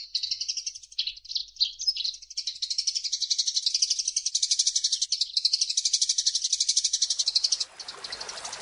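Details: Eurasian tree sparrow starts with uneven chirps, settles into a fast steady high trill for about five seconds, then a hissing broadband noise takes over at the end; made as a training master for songbirds.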